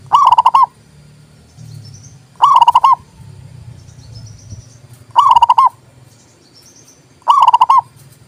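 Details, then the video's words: Zebra dove singing as a master song for local and Bangkok zebra doves: four bubbly trilled coo phrases at roughly two-and-a-half-second intervals, with faint thin chirps and low hum between them. "TERAPI PERKUTUT MOGOK BUNYI PALING TOP"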